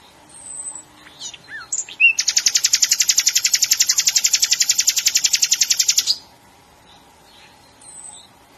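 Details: Nightingale singing: a few scattered chirps and a brief high whistle, then a loud, rapid, rhythmic trill of buzzy notes at about seven per second for roughly four seconds, ending abruptly before faint quiet notes return.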